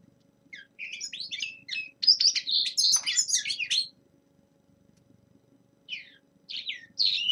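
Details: Young male common linnet's winter song in bursts: scattered chirps building to a rich twittering phrase, a few seconds of quiet, then sparse chirps again.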